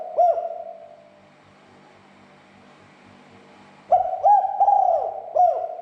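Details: Spotted dove calls used to provoke other doves into calling: loud cooing notes near the start, then a pause of about two seconds, then a burst of several rapid coos with harmonic overtones and a final short coo.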